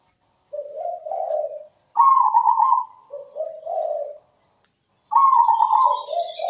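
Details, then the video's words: Melodious zebra dove song: low rolling coos, a high quavering note and further low coos, a pause, then the phrase resumes with the high note sliding down into lower trills. "PERKUTUT GACOR SUARA MERDU"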